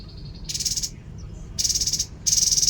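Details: Babbler (tepus) giving loud rasping, rapidly pulsed buzzes, three bursts of up to half a second, with a thin steady high whine between them.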